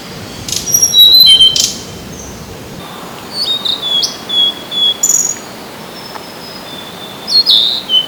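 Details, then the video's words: Territorial song of a blue-and-white flycatcher, two birds contesting the same field on 25 April 2026, taken with an ECM-M1 mic: scattered high whistled notes in bursts, separated by short silent gaps. "オオルリ 鳴き声"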